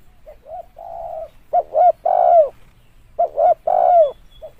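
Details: Lure call of a spotted dove: soft drawn coos lead into two loud three-note phrases, each closing with a long, downward-sliding coo, followed by a faint short note.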